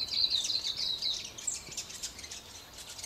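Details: Birds singing on a morning beside the Waipara river, South Island, New Zealand, among trees: bright high chirps and short twittering phrases, loudest in the first second, then scattered quick notes over soft background hiss.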